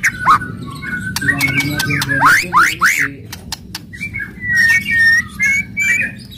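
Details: Aggressive White-rumped shama singing to provoke other shamas: sharp clicks and swooping upslurred whistles, then a run of clear level whistled phrases, with a faint low hum underneath.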